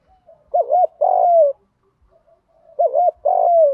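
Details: Decoy spotted dove used to lure wild doves, cooing in the urging 'gù thúc' style: a quick wavering double note then a long, slightly falling hoarse coo, given twice with a pause between, no other sounds.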